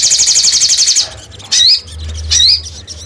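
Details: Crimson sunbird used as a lure sound: a second of quick, high, evenly pulsed trilling, followed after a gap by two separate sharp, slurred chirps with a soft low hum in the background.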